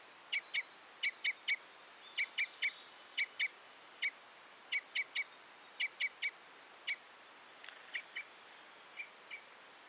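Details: Common Crossbill uttering crisp clipped notes, mostly in pairs and triplets spaced about half a second apart, becoming softer and sparser toward the end, with a faint thin warble above and low background hiss.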